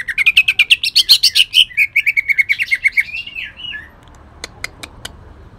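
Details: Kalimantan leafbird pouring out a fast chattering trill of harsh notes with long-tailed shrike mimicry, slurring downward and fading after about four seconds, leaving a few faint clicks.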